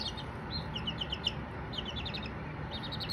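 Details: Several baby Silkie chicks peeping in quick bursts of short high chirps, overlapping, with brief pauses, against a low steady hum.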